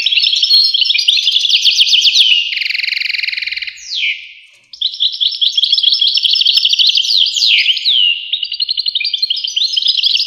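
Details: European goldfinch in full song: fast twittering bursts interrupted by a harsh buzzy trill and falling slurred whistles, then resuming with bright repeated chirps.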